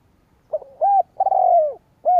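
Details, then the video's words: Lure call of a spotted dove for drawing in rival wild doves: a soft short hoot, an arched coo, a long descending crooning note, then the start of another coo, low-pitched and clear. "Tiếng chim cu gáy kích bổi"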